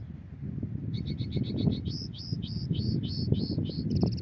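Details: Goldfinch in a trapping setting gives a quick series of high, bright twittering notes, many with a falling hook, about three per second, ending in a buzzy trill, all over heavy low-pitched background rumble.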